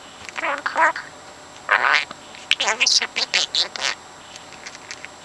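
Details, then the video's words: A 4-month-old male pet parrot talking himself to sleep, repeating overheard conversations in short speech-like bursts: a few syllables, a pause, then a quicker run of clipped, rising and falling words in a quiet room. "Bird Puts Words Into Sentences on his own"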